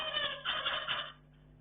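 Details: Pet zebra finches kept indoors, heard while playing: a loud, dense, overlapping chatter of nasal, buzzy calls lasting about a second, then fading to a low background hum.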